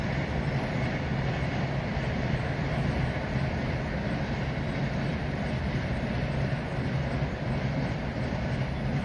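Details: A steady, loud, low rumbling roar like a passing vehicle or aircraft fills the whole recording without a break; no animal voice rises above it.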